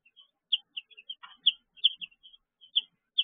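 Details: Young chicks in a brooder, evening: sharp, high peeps coming irregularly, about two or three a second, some doubled, in a quiet indoor setting.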